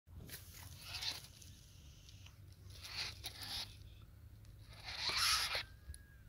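Black francolin giving loud, harsh, grating call bursts, three rasping phrases a couple of seconds apart, over a low background hum.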